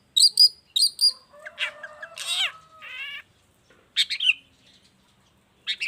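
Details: Long-tailed shrike singing, a recording for tutoring and provoking other shrikes. Paired bright high notes open, followed by harsh buzzy and warbled phrases, a pause, then scratchy chirps.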